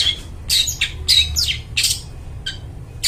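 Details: Lively long-tailed shrike singing loud and clear, a recording meant for luring forest birds: harsh squawking bursts spaced roughly half a second apart, some with bright whistled slides falling and rising, above a faint low rumble.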